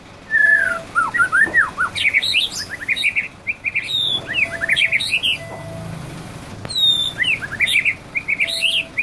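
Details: Male white-rumped shama in a varied canary-imitating song: rapid twittering, chattering notes and quick rising and falling whistles in long fast phrases, with a few very high sweeping whistles.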